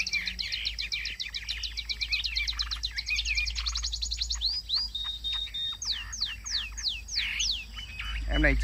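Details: A kept Chinese hwamei, a cage bird in a Vietnamese bird-keeping hobby, sings loudly. The song runs through rapid series of high sweeping whistles, then slower, clear downslurred and upslurred whistled phrases, with steady background hiss.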